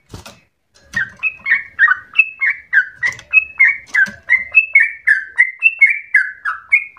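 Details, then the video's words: Trucukan, the yellow-vented bulbul, in full vigorous song with long rolling runs likened to the straw-headed bulbul; after a brief knock and pause, a steady string of bright slurred whistles follows, alternating high and low, roughly three a second. "Trucukan gacor ropel panjang narung suara berasa cucak Rowo"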